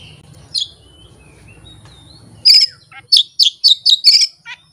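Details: Oriental magpie-robin (kacer) boldly unloading its full repertoire of learned fill-in phrases with no tutor recording and no rival bird; soft thin whistles, then a burst of loud, sharp, buzzy notes repeated in quick succession.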